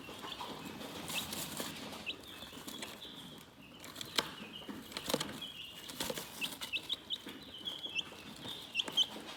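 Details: Calm chickens give steady high chirps in overlapping bursts, with soft pecking taps and brief flutters of wings underneath.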